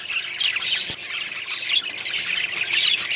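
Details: Budgerigars in a small colony setup chatter nonstop, high scratchy squawks and quick chirps overlapping, with one soft thump partway through.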